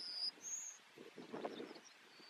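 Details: Yellowhammer (Emberiza citrinella), song.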